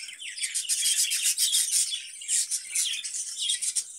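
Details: Caged budgerigar kept for breeding, giving a dense high chattering warble of rapid chirps and twitters, continuous with brief dips in loudness.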